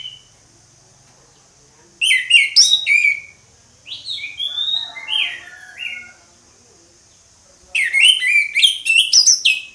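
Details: Orange-headed thrush singing ngeplong: fast clusters of sharp, varied chirps and whistles delivered in bursts separated by pauses, a softer mid-section of slurred notes, then another rapid, loud jumble of notes.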